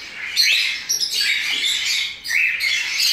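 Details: Captive rosy-faced lovebird (Agapornis roseicollis) at an exotic bird breeding facility in Campinas, Brazil, giving harsh, shrill squawking chatter in rapid bursts, high-pitched and grating, with no other sounds.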